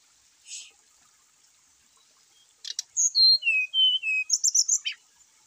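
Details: A brown-chested jungle flycatcher, whose song is used to push reluctant caged birds into singing, gives a few clicks, then clear whistles descending in steps, followed by a rapid high twittering flourish.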